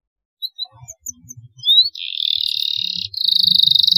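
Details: Canary song from a long recording for training young canaries: sparse thin chirps and a rising whistle, then a loud buzzy trill, a short gap, and a brighter rapid pulsed trill. Soft low background noise underneath.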